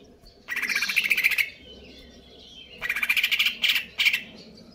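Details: Greater green leafbird of KLO type, stable condition, giving konslet kejer nembak song: two dense buzzy trills, each about a second long with fast regular pulses, the second ending in stronger accented notes.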